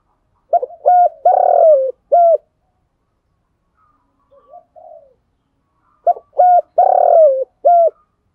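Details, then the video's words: Spotted dove decoy calling to stir rivals into cooing; a loud phrase of clipped hoots with a drawn-out falling middle note, a soft murmur, then the phrase repeated. "chim cu mồi thúc gù gáy gọi dùng kích bổi nhanh nổi gù"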